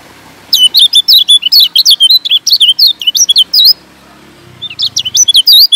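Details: Kecial kuning from Lombok, a yellow white-eye, heard in lure song: energetic sequence of high-pitched whistled chirps rising and dipping quickly, followed by a brief quiet stretch and renewed chattering.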